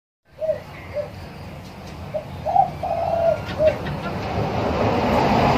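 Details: A spotted dove gives a phrase of soft, low, hollow coos, about six notes over three seconds, of the "two-kuk" ending song type, with a steady rumble of distant traffic or wind growing underneath.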